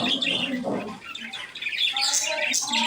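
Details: Pet budgerigars happily eating coriander, chattering in a busy run of high, scratchy warbles and quick chirps.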